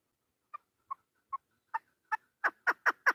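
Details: Chukar partridge recorded 3 May 2025: a calling sequence starting with three soft, widely spaced clucks, then accelerating into louder, harsher chuk notes, nine in all over three seconds.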